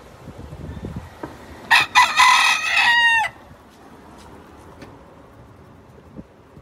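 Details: Chickens being fed on a gloomy day: a rooster gives one loud, harmonic-rich crow lasting about a second and a half, ending in a falling note, with faint soft clucking and pecking noises before and after.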